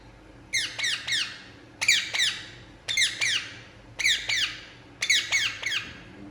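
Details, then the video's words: A relaxing Indian ringneck parakeet calls in pairs of rasping, falling screeches, each pair roughly once a second across the stretch, in a quiet indoor setting. "Indian Ringneck Parakeet Relaxing And Making Sound"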